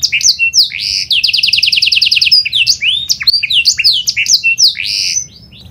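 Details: Canary (kenari panda) singing to lure other canaries into song: a swift series of evenly repeated rising notes, then a jumble of quick varied whistles and sweeps, ending with a brief faint roll.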